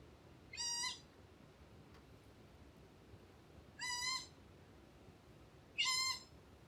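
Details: Ryukyu collared scops owl, one of two call types: three drawn-out, nasal, cat-like wails spaced about three seconds apart, each lasting under half a second with a flat, steady tone, over quiet background hiss.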